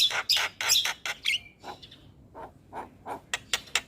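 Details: Starling vocalising as a therapy track for silent caged starlings: loud harsh screechy notes with a short whistle, followed by spaced softer chuck notes and sharp clicks.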